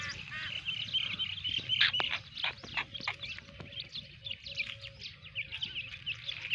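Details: Black francolin pair with four-day-old chicks: a dense stream of short, high chirps and peeps, many overlapping, with a few sharp clicks and rustles mixed in and a low background hum.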